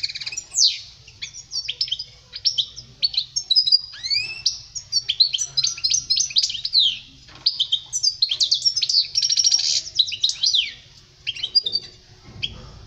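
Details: Long goldfinch song used to teach juveniles, an unbroken stream of high tinkling twitters, downslurred whistles and rattling buzzy phrases, briefly pausing before resuming near the end.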